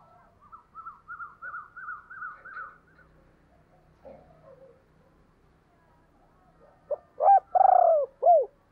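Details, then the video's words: Spotted dove giving its calling coo, known locally as thúc and gáy gọi, recorded in 2022: a run of short higher hooting notes, a quiet pause, then a loud low coo phrase with a clipped opener, rolled middle and falling end. "tiếng cu gáy/ thúc + gáy gọi"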